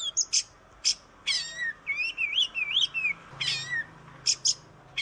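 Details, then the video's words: Oriental magpie-robin song used as a model for training other birds: bursts of harsh, broadband notes alternating with fluid warbled whistles around the middle range, some phrases sweeping up and down, separated by short pauses. "Masteran kacer juara cocok untuk isian smua burung"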